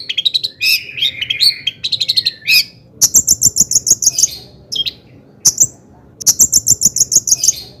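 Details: Long-tailed shrike in energetic full song, used as a lure to stir other shrikes into singing; bursts of high, rapid chattering notes and sharp ticking series, alternating with short gaps, no other clear sounds.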